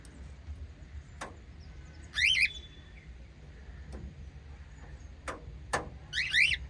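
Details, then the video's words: Two bursts of quick, harsh, rising chirps from white lovebirds, several seconds apart, with sharp clicks or knocks between them over a low background hum. "White Little LOVE Birds Chirping Sound"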